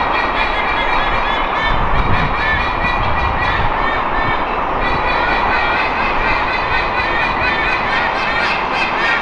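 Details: A resident White-bellied sea eagle pair in Singapore gives loud, nasal, goose-like warning honks, rapid and overlapping, at a young, almost-adult eagle circling their territory.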